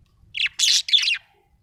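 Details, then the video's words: Budgie, said to be happy, gives three quick harsh chirps in succession, rasping and high, the middle one loudest, in a quiet setting. "Happy budgie chirping sound"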